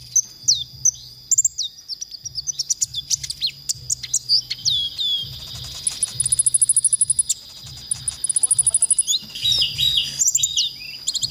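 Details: Konin song from a masteran recording used to train songbirds: irregular high chips, slurred whistles and brief buzzy trills, interrupted by short pauses, over a thin steady tone and a pulsing low hum.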